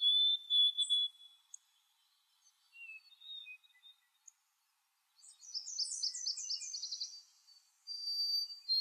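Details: Boreal chickadee in the Maine boreal forest: thin, high lisping notes, then a husky, buzzy run of quick notes over about two seconds, followed by another thin high note.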